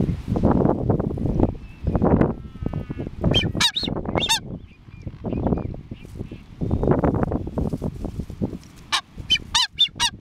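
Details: A pair of masked boobies on Tern Island call together: loud, harsh honking bursts in irregular runs, mixed with thin, sharp whistles that slide downward.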